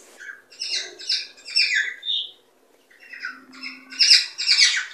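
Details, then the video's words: Cockatiel chirping played to encourage mating and breeding; bursts of harsh, squawky chirps and warbles with short pauses, a quieter gap midway, then louder clustered chirps, indoors. "صوت لتحفيز طيور الكوكتيل على التزاوج والإنتاج"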